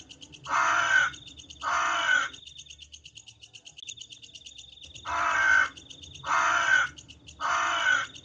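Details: Crow cawing at night, two hoarse caws, a quiet gap of nearly three seconds, then three more harsh caws spaced about a second apart over a faint high hum.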